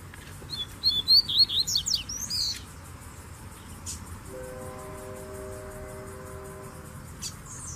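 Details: Several male Double-collared Seedeaters singing with a female present: a burst of quick, bright whistled slurred notes over about two seconds, followed by steady humming tones and a faint low background rumble.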